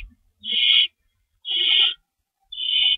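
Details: Owls at a nest during a 3:53 am feeding on March 25 2012, rabbit prey in store; three long, breathy, hissing screeches spaced about a second apart in near silence.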